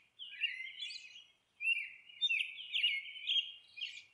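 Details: Monk parakeet at its nest giving harsh, scratchy squawks in uneven bursts, a pause after the first, then a run of grating notes.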